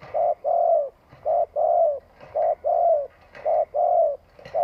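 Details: Spotted dove used as a decoy, cooing at length to rouse wild doves: paired coos, short then longer, low and mellow, repeated steadily around once per second, with faint knocks behind.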